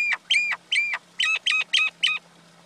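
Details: Common myna, male and female, calling: seven loud, ringing notes, each sliding downward with a strong whistled tone, given in quick uneven pairs over a faint steady hum.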